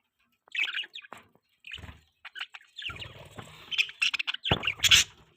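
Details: Morning feeding time for pet budgerigars: short chirps and scratchy warbles come in uneven bursts, mixed with tapping and clicking sounds of eating.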